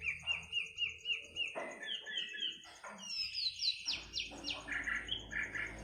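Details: Midnight birdsong made of quick chirped notes and trills, then a burst of bright sweeping whistles and rapid varied phrases, over a steady thin high-pitched hum.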